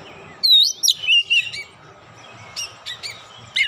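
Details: Oriental magpie-robin singing after being provoked, showing its varied repertoire: sharp, high whistled and rising notes in a quick burst, then scattered short chips over a low background hum.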